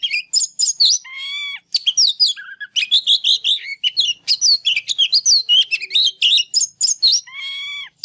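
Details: Fired-up Oriental magpie-robin song used to stir unsung birds: a dense, almost nonstop stream of rapid chirps, whistles and rising buzzy notes for eight seconds.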